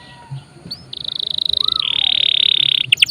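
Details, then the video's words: Canary lure song for stimulating other caged birds: a high sustained buzzy trill, then a lower dense rattling trill over faint background hum, ending in quick whistled notes. "PANCINGAN KENARI GACOR||bisa juga buat master burung lain"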